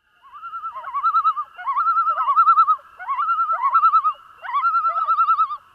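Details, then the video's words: Several Common Loons in North America give their maniacal laugh-like tremolo, fast wavering notes in three bursts over about six seconds, with more than one bird overlapping. "loons also have a call that sounds like the maniacal laughing of a lunatic"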